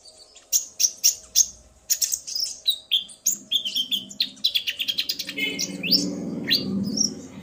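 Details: Male common iora singing excitedly after being provoked by a female's call, the pair answering each other. High chirps and sharp whistled notes come in quick bursts, then a fast chattering run, with low background rumble rising toward the end.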